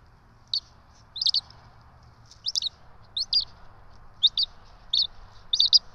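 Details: Bald eagle chicks, twins, begging as they are fed at a nest on the ETSU eagle camera in Johnson City, 12 March 2024: short high squeaky chirps in small bursts, repeated every half second to second over faint steady background hum.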